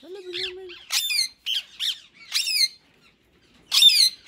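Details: Two rose-ringed parakeets, a white ringneck male and a green bird, said to be in talking mode; harsh, bright squawks with rising and falling sweeps come in short bursts, after one low, drawn-out tonal sound at the start.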